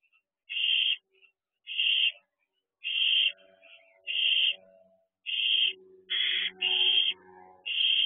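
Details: Several owlets perched at an owl box near a house at 8:20 pm, 23 June 2023, bonded siblings: rasping hissed screeches repeated roughly every second, with faint low chittering between bursts.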